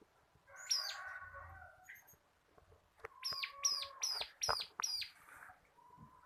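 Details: Bar-winged prinia, local crystal kapas type in a cage, sung for tutoring cage birds: an opening arched note and buzzy phrase, a pause, then a fast run of five or six loud arched notes.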